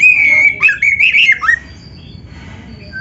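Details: Oriental magpie-robin, singing vigorously with a song full of mimicry, used for training other birds: a sustained whistle breaking into twisting squeaky notes for about one and a half seconds, then near silence.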